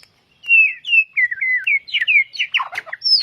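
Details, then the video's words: White-rumped shama song for training caged birds: a clear run of slurred whistled notes about three per second, sliding gently down, then quicker mixed notes and a final high thin whistle. "masteran murai batu gacor"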